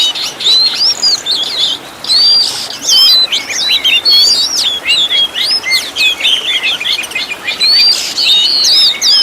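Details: Master song of an Oriental magpie-robin used to train caged birds, rich in mixed phrases: bright upslurred and downslurred whistles alternating with quick chirps, delivered in loose bursts about once a second.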